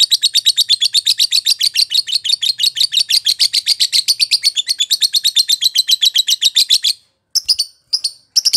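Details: Lovebird song described as world champion quality: a fast, continuous chatter of sharp, high, scratchy chirps for about seven seconds, then a few separate high chirps after a brief pause.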